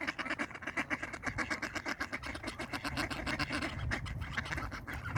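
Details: Ducks in a fight quack rapidly, with harsh pulsed notes repeated roughly twice a second in a fast, chattering rhythm that runs throughout.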